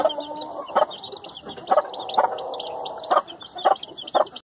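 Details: A mother hen clucks low and briefly every second or so among her chicks, whose shrill, looping peeps run almost without pause. The sound cuts off abruptly at the end.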